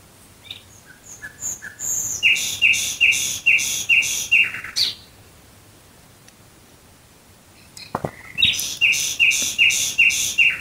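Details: Nightingale singing at night near Dresden: two phrases separated by a pause, each opening with soft ascending notes and breaking into a loud sequence of about eight sharp repeated notes.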